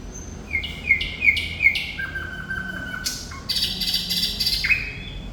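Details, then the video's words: Thrush nightingale singing: four loud repeated short whistled strokes, a long low level whistle, then a broad harsh rattling phrase and a falling whistle, over a faint low hum. "Sikatan Londo Thrush Nightingale Gacor"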